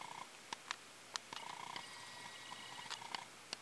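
A male Brazilian teal gives thin, steady whistled notes in short quick runs, over a background of sharp scattered clicks and taps.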